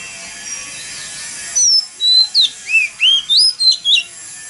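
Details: Oriental magpie-robin singing a wild 'mountain forest' lure song meant to set other magpie-robins singing. Steady hiss at first, then a sequence of clean whistled notes, upslurred and downslurred, spaced about a quarter second apart.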